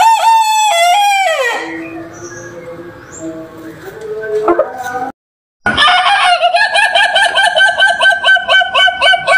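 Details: A cock crows in the yard with a loud, strained crow that slides steeply down at its end. After a short gap comes a fast run of sharp, repeated clucking notes.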